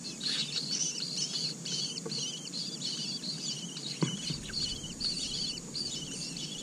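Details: Four Asian koel chicks raised as brood parasites in a red-billed blue magpie nest give rapid, overlapping high squeaky chirps, repeated several times a second, over steady background hiss with one sharp knock midway.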